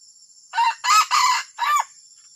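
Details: A junglefowl produces its odd, disruptive crow: four harsh harmonic bursts, the second and third longest, spread over about 1.3 seconds. The notes are strong, and a steady high tonal hiss runs throughout.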